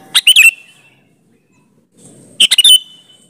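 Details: Two quick bubbly, chattering phrases from a sooty-headed bulbul, each ending in a short bright warble, about two seconds apart; the song is used as a lure to get other bulbuls to answer.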